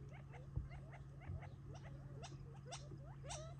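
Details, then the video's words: A flock of Gambel's quail feeding before retreating for the night near Tularosa Creek in July 2021, on family property; many overlapping short chirps and clucks with a few sharper rising notes, over a steady low hum. "Quail “flock party” - Gambel’s Quail feeding"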